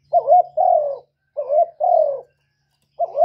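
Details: Spotted dove lure call to stimulate doves: short cooing phrases, each a quick hoarse double note then a longer sliding coo, repeated roughly every one and a half seconds.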